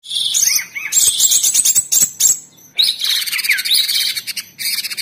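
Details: Orange-bellied leafbird giving loud, nonstop tembakan song: tumbling whistled slurs and rapid chatter, a short break, then a long fast rattling run with rising and falling whistled notes.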